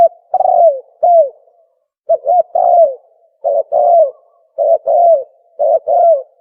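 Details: Spotted dove calling, used as a hunting lure; a steady run of paired short coos and long, downward-curving coos, repeated about once a second with no other sounds.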